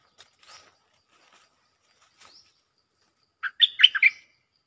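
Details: Cream-vented bulbul calling a mate, used as a lure sound; a few faint scattered chirps, then one loud burst of four or five quick chattering, bubbly notes near the end.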